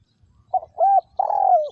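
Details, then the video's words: Decoy spotted dove used for trapping in Vietnam, recorded in 2022, gives its call: brief clipped note, a rounded rising-falling coo, then a drawn-out gently descending coo, with faint low rustling beforehand. "Tiếng Chim Cu Gáy Liêu Rồng Mắt Lé Chân Cua Mồi Đất"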